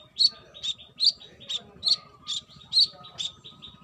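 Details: Female brown-throated sunbird calling a male, singing vigorously: eight evenly spaced, piercing high chips, each followed by a softer trailing note, about two per second.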